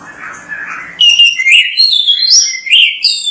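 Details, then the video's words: Oriental magpie-robin (kacer) singing vigorously, used as a master recording to prompt other magpie-robins to sing: after a second of soft hiss, a rich run of bright, varied whistled notes, slurred up and down and closely packed. "MASTERAN BURUNG KACER GACOR BERSUARA MANTAB"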